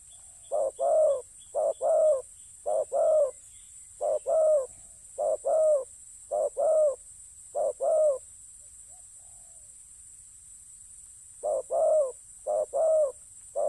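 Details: Spotted dove during ground decoy trapping, giving a long series of low two-note coos, a short note then a longer rolling one, evenly repeated, pausing for a few seconds before resuming, over a faint high hiss.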